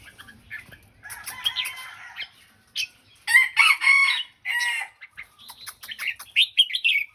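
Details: Red-whiskered bulbul in the Thai phrase-counting song style, giving bursts of rich, warbled phrases with bright whistled notes and quick chattering notes. Loud phrases come in clusters after a quieter start, with brief gaps between them.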